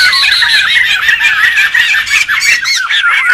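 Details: Noisy wild laughingthrushes, a recording used to lure and tutor birds, fill the air with dense overlapping warbles and squawks, short curving whistled notes repeating through the chorus.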